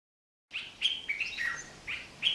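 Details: A male Dark-capped Bulbul sings to attract a female during courtship: a quick run of bright, chirpy whistled notes, some rising and some dipping, over about two seconds with no other sounds.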